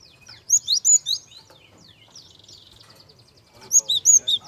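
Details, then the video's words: Java sparrow singing softly as a lure for young birds: a rapid run of four loud bell-like chirps, a stretch of buzzy twittering, then another fast set of four ringing notes. "PANCINGAN BURUNG GELATIK SUARA HALUS . KEREN UNTUK MEMANCING SUARA GELATIK MUDA"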